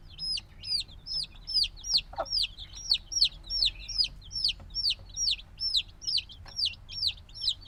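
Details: Newly hatched black chicks, a few days old and still needing their mother's warmth, chirp loudly and steadily; bright descending peeps come in quick pulses about every half second, with a faint rustle in the background.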